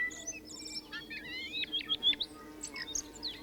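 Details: Tui song: a quick, varied phrase of clear whistles, sliding notes and high chirps over a faint steady low hum.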